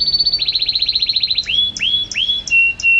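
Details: Champion canary singing: a fast trill of about twenty-five rapid notes, then drawn-out whistles that rise and level off, ending in short clear tones.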